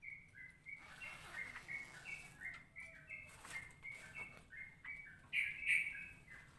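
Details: Ropelan-style song from a straw-headed bulbul, a pattern combining Cucak Rowo and Cucak Jowo phrasing: a brisk run of short whistled notes stepping up and down, ending in a louder, brighter burst, with faint low hum behind.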